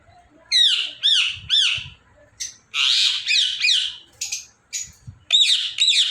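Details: Indian ringneck parrot giving harsh, arched squawks in quick bursts, first three evenly spaced, then a denser run of rasping screeches and a final pair of sharp calls, with a quiet room behind.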